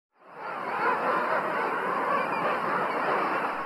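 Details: A king penguin breeding colony on remote South Georgia island, over 100,000 breeding pairs, makes a dense, unbroken roar of piercing, trumpeting calls and guttural, rolling trills that blur into one steady din, with waves crashing nearby.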